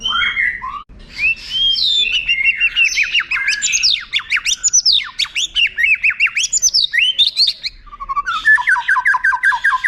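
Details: White-rumped shama song as a training tutor for contest birds, with long flourishes: a varied rush of high squeaky, swooping and chattering notes, then a quick rolling series of repeated downslurred whistles.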